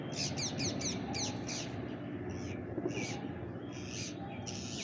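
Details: Bank myna feeding alongside pigeons: a quick burst of about six harsh, buzzy chirps in the first two seconds, then scattered squeaky, slurred notes, all over a steady low rumble of background noise.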